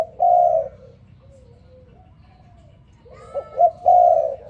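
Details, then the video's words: Spotted dove in the morning giving a mellow, sustained coo, a pause with soft distant cooing, then two short upswept notes and another full, steady coo. "Sound Spotted Dove ln The Morning"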